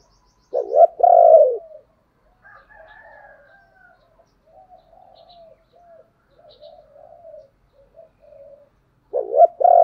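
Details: Lure call of a spotted dove meant to make wild doves coo back: a loud, gruff two-part coo, then a series of quiet, low, broken coo notes, and the loud coo returning at the end.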